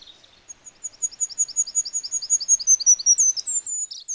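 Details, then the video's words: Wild goldcrest song: a fast, regular run of very high, needle-thin paired notes, about a dozen repetitions, ending in a short twittering flourish; otherwise quiet. "chant et cris du roitelet huppé / song & calls of goldcrest"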